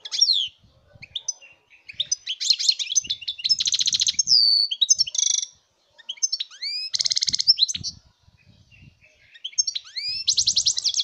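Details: European goldfinch song recorded in 2019: bursts of bright high twittering, rapid trills and buzzy rattles with upward-sweeping whistled notes, separated by short pauses, faint low thumps beneath.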